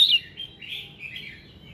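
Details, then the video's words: Red-whiskered bulbul morning song for prompting singing: a sharp loud opening note followed by softer, drawn-out slurred whistles wavering up and down. "Tiếng Kích Giọng Chào Mào Hót Sáng"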